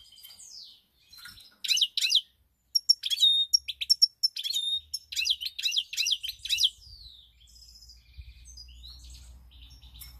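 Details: A pied European goldfinch sings, 7 March 2021: scattered high tinkling notes and short twittering bursts, with a burst of rapid, bouncing phrases midway, then quieter chatter over a low hum in the final seconds.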